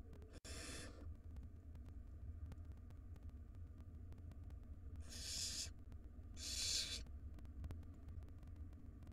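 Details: Wild barn owl nestlings begging in a nest box while the mother feeds them; a short hissing screech at the start, then two more harsh rasps after a quiet gap, with constant low hum and faint clicks.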